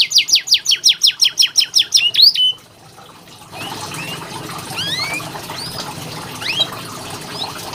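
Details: Canary tutor song used as therapy for birds that sing little. A fast, regular trill of falling notes lasts about two seconds and ends on a short buzz, followed by quieter scattered chirps over faint background hiss.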